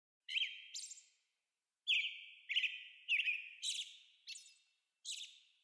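An American robin gives sharp, clipped notes in quick bursts of two or three, each sliding into a slightly lower tail, with short pauses between and a quiet background.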